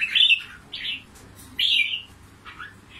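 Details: Red-whiskered bulbul from Cao Bang, Vietnam, a select trapped bird kept for fighting and decoy use, giving short loud slurred whistled phrases separated by pauses, the last one softer, against faint background noise.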